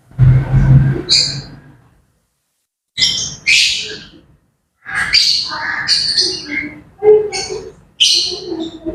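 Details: Grey parrots chattering in the morning, with a low rumble at the start, then bright chirps, squeaks and rasping squawks in quick, uneven bursts with brief pauses between.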